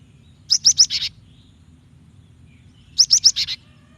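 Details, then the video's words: Female cinereous tit calling the male, a call used to provoke males into singing: two bursts of three to four quick, high, sharp chirps, each burst ending in a harsher buzzy note, about two and a half seconds apart. "Gelatik betina gacor memancing bunyi"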